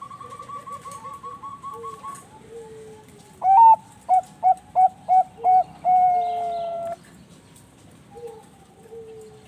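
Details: Bangkok-strain zebra dove, bred in captivity in Bekasi, West Java, delivering a loud burst of song: a clipped opening note, a run of short rhythmic hoots and a drawn-out final note, while softer doves coo in the background.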